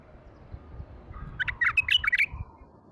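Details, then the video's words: A wild-caught male bulbul, newly isolated, sings one brief, rich phrase of about ten quick, bubbling whistled notes, mid to high in pitch, over a low background rumble; Baghdad. "تغريد بلبل"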